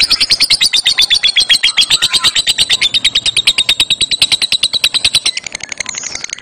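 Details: Lovebird in a singing contest, delivering a long ngekek rattle: a fast, steady train of sharp high chirps about eight per second, continuing for several seconds before tapering into rougher notes.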